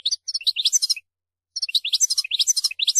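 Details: Maqnin goldfinch singing rapid, jumbled twittering phrases of high, liquid chirps and trills in two close bursts separated by a short silence, with a clean background.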